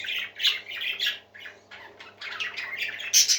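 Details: Happy parakeets singing in a group: rapid squawks and chirps come in clusters, pausing briefly in the middle before the chatter builds again and ends with a shrill high call.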